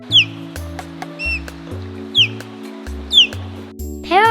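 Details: Short, sharp descending whistles from an osprey, repeated roughly once a second over background music, with a rising glissando from the music at the end.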